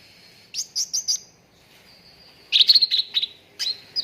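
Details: Cucak ranting training lure for contest birds, played to get a bird singing fast: three quick high chirps, a pause, then a dense rattling burst of sharp notes and a final whistled slur.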